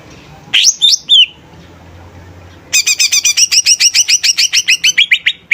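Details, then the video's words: Greater green leafbird in a lively song used as a lure for other cage birds: a few sharp rising whistles, a pause, then a fast run of about twenty clear repeated notes. "Suara Cucak Ijo Gacor||Cocok Untuk Pancingan Burung||Dapat Menaikkan Emosi"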